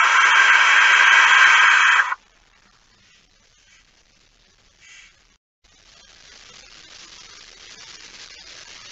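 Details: Barn owl at its nest with prey, night of 23 September 2019; one sustained, harsh hissing screech of about two seconds, then quiet with a faint short rasp and low background noise.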